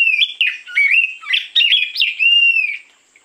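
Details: Morning lure song of an oriental magpie-robin, a rapid run of varied whistles, slurred up-and-down notes and brief harsh bursts, ending in a long steady whistle that fades out.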